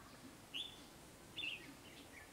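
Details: Red-whiskered bulbul male, caged and paired with a young female, courting with rapid bill-bobbing display, giving two bright, warbled phrases about a second apart, slurring up and down in a high register over faint background hiss.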